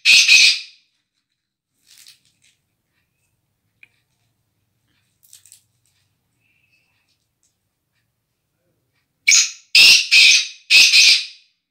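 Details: A captive male black francolin, kept as one of a hoped-for breeding pair, gives loud, harsh, grating notes: a burst at the start and a run of four near the end, with a few faint chirps between.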